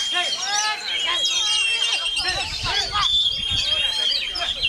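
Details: Oriental magpie-robin singing on through strong wind: a dense, varied run of whistled sweeps, slurs and chattering notes, mostly high-pitched, with a steady high thin tone and gusty rumble beneath.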